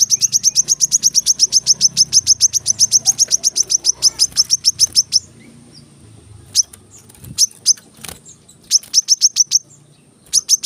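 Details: Brown-throated sunbird, a cage-bird training recording of dense rapid song: about five seconds of fast, evenly repeated high thin chirps, then a pause with scattered sharp clicks and short bursts of quick notes.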